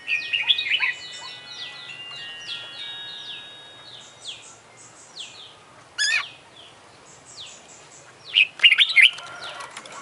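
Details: Contest-champion Oriental magpie-robin (kacer) in full mimicry song: rapid run of clear whistled notes sliding downward, several per second, then broken by sharp harsh bursts and a final chattering flurry.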